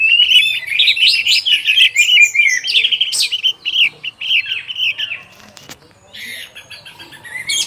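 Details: Afternoon song of an orange-headed thrush: a fast, jumbled flow of whistled and chattering notes for about five seconds, then a lull before softer phrases return.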